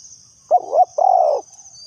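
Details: A spotted dove serving as a trapping lure utters a quick wavering coo, then a drawn-out husky coo of steady pitch, over a constant shrill insect hum.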